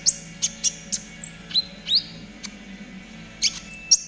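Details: Trotol konin master song used to train caged birds: scattered high, thin chirps and a few rising whistled slurs, spaced irregularly with quiet gaps, over a faint low drone.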